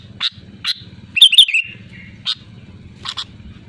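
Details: Sooty-headed bulbul calling loudly to rivals, giving short sharp chirps and a quick cluster of bright whistled notes, over a pulsing low engine-like drone.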